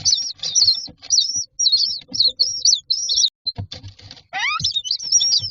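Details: Myna chicks in a nest box, waiting for food, give dense, shrill, wavering squeals with scuffling and thumps, plus one harsh, rising, grating call partway through.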